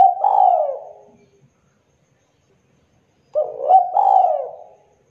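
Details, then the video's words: Spotted dove coo, a 'kuk 2' trapping lure: a drawn-out, downward-sliding hollow coo fades out, then almost two seconds of silence, then a rough note and another long falling coo begin the next phrase. "SUARA MASTERAN DERKUKU TEKUKUR GACOR KUK 2 SUARA JERNIH, BERSIH, COCOK BUAT PIKAT/PANCINGAN"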